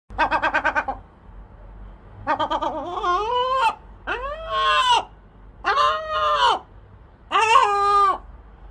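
A gull opens with a rapid burst of staccato notes, then gives four loud, drawn-out mewing wails that rise and fall, over a faint low background rumble.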